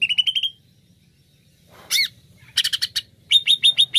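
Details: Greater green leafbird song for luring other birds: a quick trill of repeated notes, a pause, a loud rising-falling whistle, then a dense buzzy burst and a string of evenly spaced sharp notes.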